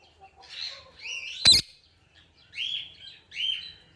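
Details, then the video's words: Indian ringneck parakeet uttering a raspy note, then a rising whistled squawk cut by a loud sharp snap, followed by two shorter rising squawks about a second apart. "Super Cute Ringneck Parrot Sounds"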